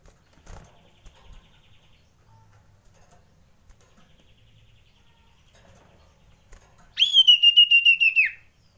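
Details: Frightened common iora lure call: after nearly seven seconds of near silence with faint clicks, a single loud, high whistled note trembles with fast pulses for about a second and a half.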